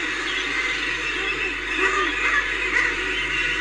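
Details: Common murres at Reykjavik, Iceland, on 25 April 2024, in a dense, continuous chorus of harsh, growling, laugh-like calls, many birds overlapping with no pause.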